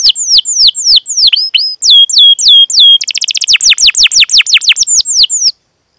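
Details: Singing canary, played to coax lazy young canaries into song: sweeping descending whistles, a run of steady flat tones, then a quick tight series of sharp chirps ending abruptly in silence.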